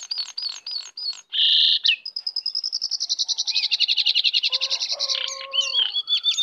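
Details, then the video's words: Lesser shortwing in the wild, coming in to attack, delivers repeated high slurred notes, a loud buzzy burst, then a long accelerating trill of rhythmic pulses with lower warbles beneath. "Jongkangan/cingcoang coklat Liar Datang Menyerang"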